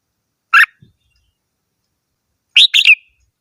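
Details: Red-whiskered bulbul singing: one short bright note, then after a two-second pause a quick three-note phrase of chirpy, slightly buzzy notes; otherwise quiet.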